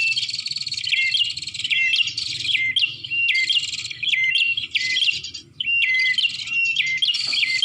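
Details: Bar-winged prinia call used as a bird lure: loud, rapid runs of high chirps, each phrase ending in a downward-sliding note, repeated about once a second over a faint low hum.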